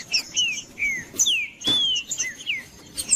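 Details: Green-winged saltator song used to stimulate a cold bird; a few well-spaced downslurred whistles, one long level note, with sharp clicks and a thin high tone in the background.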